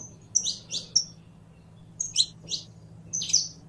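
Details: High, buzzy chirps and short whistles from a saffron finch, delivered in two quick clusters separated by a brief silence, with a faint low hum underneath.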